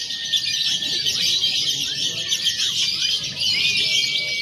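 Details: Lovebirds in a contest simulation with konslet, fighter and paud styles together, played to train birds for competition; a loud wall of high, rapid chirping with drawn-out whistle lines and quick downward flicks.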